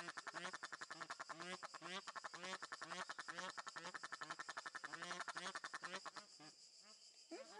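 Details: Captive Egyptian geese at a zoo bird garden in Upie, Drôme, France: rapid, harsh, strongly harmonic cackling notes in dense runs, over steady lower honks repeated about twice per second, tapering off near the end.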